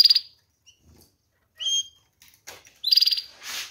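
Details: Canaries singing: a rapid pulsed trill, a clear sliding whistle, then another fast rattling trill ending in a softer buzzy burst, sharp and high-pitched against a quiet background.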